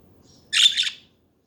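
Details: A single budgerigar chatter burst: a dense, scratchy warble lasting about half a second, rising and falling in loudness, then silence.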